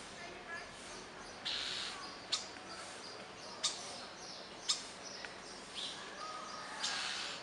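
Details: Newly arrived starlings singing a faint, varied song of sharp clicks, short whistles, and buzzy bursts scattered irregularly over steady background hiss.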